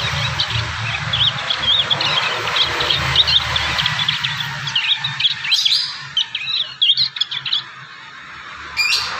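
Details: Young prinias still composing and learning their song, natural recording, a rapid jumble of high, thin chirps and twitters, irregular and overlapping, over steady broadband hiss and some low rumble.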